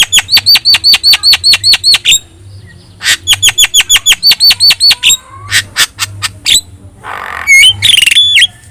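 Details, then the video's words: Javan myna with yellow eyes singing hard for training other birds: fast, even series of sharp chirps at about two or three per second, then a pause, then mixed squawks and a rising whistled note. "JALAK KEBO GACOR MATA KUNING | Untuk Masteran Kicau Jalak Mania"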